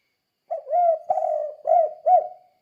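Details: Spotted dove 'kuk 2' song used to train other doves: one clear phrase of four low coos, a rising opener, a long husky note, and two short bowed notes, in a quiet background.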